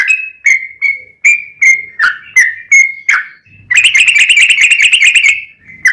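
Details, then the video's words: Yellow-vented bulbul singing in the lively ropel panjang style, used as a lure to draw captive birds into answering: a run of separate bright whistled notes, then a fast, dense, bubbling trill for about two seconds. "SUARA trucukan gacor ROPEL PANJANG pancingan trucukan agar bunyi"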